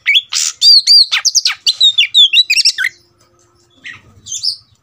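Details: Agitated Oriental magpie-robin (kacer) stirred up for fighting, pouring out fast whistled and slurred notes with harsh buzzy bits for three seconds, then a pause and a few softer scratchy notes; faint low ticking.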